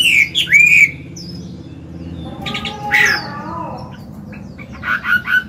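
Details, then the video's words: Old Chinese hwamei in forest-style song, meant for training cage birds. Two loud slurred whistles open the clip, then a quieter stretch of mixed rasping notes over a steady low hum, ending with short bright whistles. "Họa mi già giọng cực hay, luyện bổi, kích trống hót hay"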